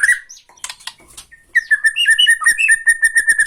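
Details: Tretekan from a Borneo white-rumped shama aimed at provoking other shamas: scattered calls, then a rapid run of clear repeated whistled notes with brief upward flourishes.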